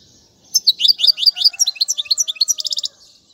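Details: European goldfinch song recorded for teaching young birds: after half a second of quiet, a fast run of high, sweet twittering notes, ending in a tight buzzy rattle-like trill near the close.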